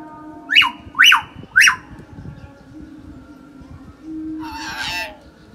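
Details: Common hill myna sound used to provoke a quiet bird into singing: three clear rising whistles about half a second apart, then a harsh, buzzy, broadband squawk, over a faint constant hum.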